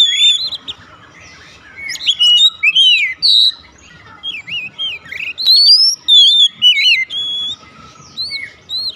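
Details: Kacer, the Oriental magpie-robin, delivering its 'nembak' song at once: rapid chains of bright whistled notes, zigzagging slurs and high squeaky accents, phrases broken by brief gaps, over a soft low background hum.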